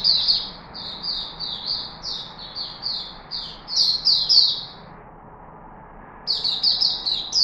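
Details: Bright, high down-slurred chirps from a Chickadee in Singapore, 4 March 2021, delivered in a long even run of about a dozen notes, a one-second silence, then a fresh burst, with a low hum.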